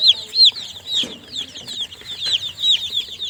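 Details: Newly hatched baby chickens peeping: sharp, high, slightly falling chirps come about three per second, loudest at the start and then softer, with several chicks overlapping.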